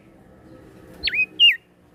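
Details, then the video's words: Prenjak daun (prinia) from Lombok, NTB, a bird said to sing morning, noon and night, gives two quick high whistles: a dipping V-shaped note, then a shorter downslurred one, over faint low background hum. "Prenjak Daun NTB Gacor PAgi SIang MAlam Tetap Rajin Bunyi"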